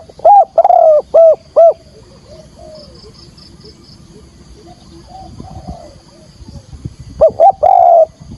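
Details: Decoy spotted dove calling to lure wild doves toward a trap: a burst of four loud, hoarse coo notes, a quiet stretch with faint distant cooing and a high steady hiss, then another loud cooing burst.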